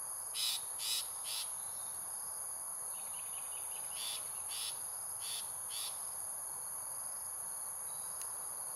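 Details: Long-tailed shrike in Singapore giving short, harsh, rasping bursts in clusters of two or three, with a brief run of soft ticks, over a steady high insect drone.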